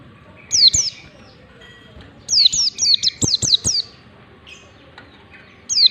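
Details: White-eye ngalas song, played so white-eyes learn to sing along: a high falling double whistle, a pause, then a rapid string of six or seven descending whistled notes, ending with another brief pair of high slurs.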